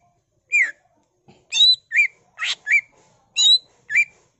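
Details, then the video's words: Greater green leafbird singing energetically with a repertoire of copied calls, used to trigger other leafbirds: clean falling whistles trade with higher double-pitched notes and one raspy buzz, spaced in quick pairs. "CUCAK IJO GACOR BONGKAR ISIAN NGENTROK PANCINGAN CUCAK IJO GACOR FULL ISIAN"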